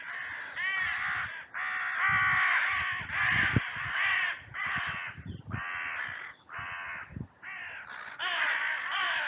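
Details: Trail cam in a cemetery on a sunny day captures many crows calling in a massive outcry after two crows fought; hoarse, grating caws follow one another almost without break, several voices overlapping, with faint low knocks beneath.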